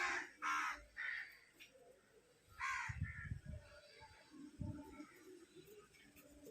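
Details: Hungry crow giving harsh cawing calls, three quick caws at the start and another loud caw near the third second, with low rumbling background noise between calls.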